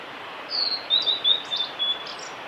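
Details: A male blue-and-white flycatcher sings at Lake Miyagase, Kanazawa forest road, Japan, on 5 May 2018: a short run of high, thin whistled notes, some sliding, in quick succession over a soft steady hiss.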